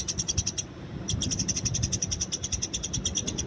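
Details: Wild Eurasian tree sparrow recorded in the open as a training tutor recording: rapid series of sharp, bright chirps about ten per second, breaking off briefly then resuming, over a steady low rumble of background noise.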